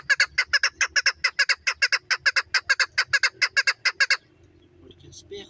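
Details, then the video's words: Female chukar calling in a rapid run of loud, clipped chuk notes, roughly two dozen in four seconds, evenly spaced, before stopping abruptly; quiet background noise and a faint higher sound follow. "female chakor best voice"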